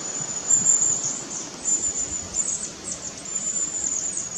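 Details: Long-tailed tit parents feeding fledglings in a tree while guiding the scattered young, 4 May 2016, Nikon Coolpix P900: thin, very high-pitched trilled calls repeated in short runs over low rumbling noise.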